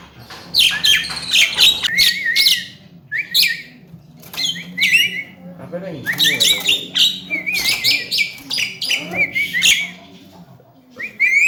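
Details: Javan myna, a talking bird, singing a busy training song of harsh chattering bursts mixed with short rising whistled phrases, repeated in clusters, with a faint low hum throughout.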